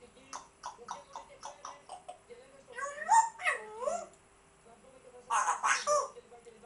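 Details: African grey parrot, indoors: a quick series of short clicky notes, then wavering tonal whistles, a pause, and two harsh loud squawks.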